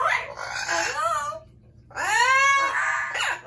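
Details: Two long, harsh Amazon parrot screams, strongly harmonic with bending, arching tones, split by a brief lull, from pet birds, above a low background hum.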